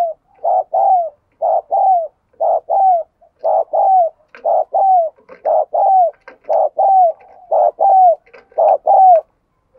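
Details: Lure recording of a spotted dove cooing to provoke and excite males: evenly spaced, mellow coo phrases, each of two or three notes with a falling final note, about ten phrases in a very regular rhythm.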